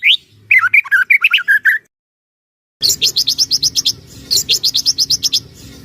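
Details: White-rumped shama song used as a trainer: slurred chirps in a short run, a pause, then rapid high repeated notes in two bursts over a steady low hum.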